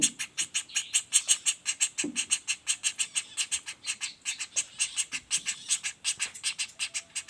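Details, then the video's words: Non-stop calling of a young common flameback, a dense stream of shrill, rasping notes about three per second, with occasional faint low taps behind. "Suara Pelatuk Bawang Anakan Roll speed tanpa jeda"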